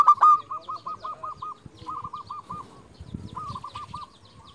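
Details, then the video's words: A local zebra dove calls to rivals with a loud opening coo, then a run of evenly spaced short pulsing notes. Two quieter cooing phrases follow over faint low rumble. "Perkutut lokal gacor JUARA Pikat terbaik paling jago memanggil lawan"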